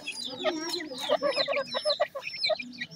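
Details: Grey francolin (teetar) chicks calling: thin, high-pitched chirps overlapping in a busy chorus, with short, lower clucking notes repeated several times each second.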